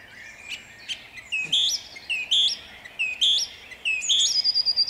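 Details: Dawn song of a song thrush in Jabłonna, 29 April 2021: a short ringing whistled phrase repeated about four times in quick succession, each rising then dropping, with a high thin trill trailing at the end.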